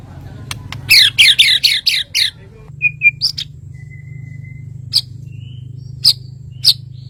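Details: White-rumped shama (murai batu) from Kalimantan delivering a rapid burst of six loud sweeping high notes, then scattered short whistles and sharp chips over a steady low engine-like hum.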